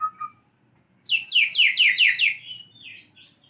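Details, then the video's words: White-rumped shama learning canary song: two soft notes, then a quick series of six loud downslurred whistles, followed by a few fading softer notes. "MURAI BATU BELAJAR BUNYI BURUNG KENARI"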